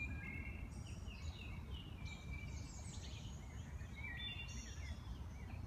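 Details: Wood thrush singing a series of fluty whistled phrases that slide and waver, each ending in thin high trilled notes, with brief pauses between phrases and a constant low background rumble throughout.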